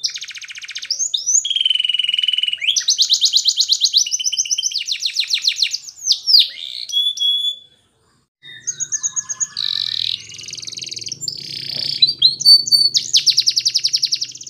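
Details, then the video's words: Belgian canary singing a training song for young birds: long fast trills, rattling rolls and short whistled slurs, broken by a brief silence midway, then more rolled trills with a faint low hum behind. "Belgian Canary Training for Early Childhood Canaries so that they sing diligently"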